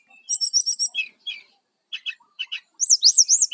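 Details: Short burst of brown-chested jungle flycatcher song, a lure for wild birds, with rapid repeated high chirps, scattered trill notes, and a closing run of quick rising and falling whistles.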